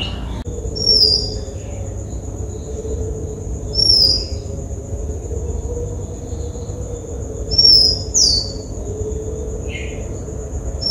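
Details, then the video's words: Oriental magpie-robin (Sinhala polkichcha), Sri Lanka, on a Nikon COOLPIX P1000: sparse, sharp rising whistles at intervals of a few seconds, with a couple of softer chirps between. A steady faint high tone and low hum fill the background. "Oriental magpie-robin calls"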